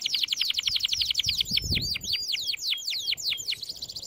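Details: A canary sings a powerful training song: a rapid series of repeated downward-slurred whistles, then slower looping swoops spaced about three per second, with a brief low thump in the background.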